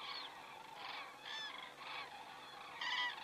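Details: Common cranes in flight over Estonia, crane camera, 27 September 2017, 19:26; separate rolling trumpet calls come roughly every half second, with a louder call at the close.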